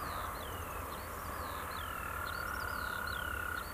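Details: European golden plovers (Pluvialis apricaria) in breeding plumage on a field near Bucharest, Romania, giving plaintive, drooping whistled calls, several per second and sometimes overlapping, over a steady low rumble and faint constant hum.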